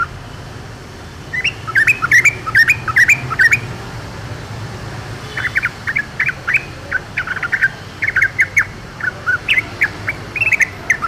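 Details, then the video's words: Yellow-vented bulbul singing in the wild, a reluctant singer joining the chatter: after a quiet start, rapid bubbly, warbled notes come in quick irregular runs, a dense burst near two seconds and then steady choppy phrases to the end, over faint low rumble. "KICAU TRUCUKAN DI ALAM LIAR"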